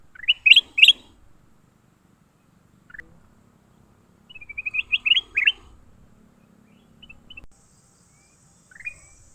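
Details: Leafbirds fighting: two bursts of sharp, slurred chirps rising and falling around a high pitch, the first near the start and a longer run of quick notes mid-clip, with a few faint isolated chirps between.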